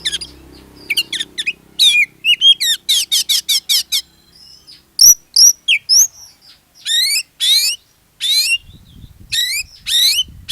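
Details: Lure song of an Oriental magpie-robin (kacer) to set other magpie-robins singing; fast run of repeated chattering notes, then slurred whistles and rising buzzy sweeps, with low background hum at the start and end.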